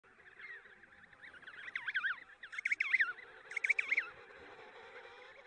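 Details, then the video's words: Emperor penguin chick gives bursts of high, warbling whistles that sweep up and down, about once a second, over a steady murmur of other birds. "Emperor Penguin Chick Sound"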